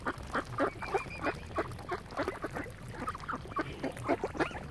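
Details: Lough Neagh ducks at Oxford Island, Ireland, crowding a swan family, produce a steady run of gruff, nasal quacks, roughly three per second, from several birds at once.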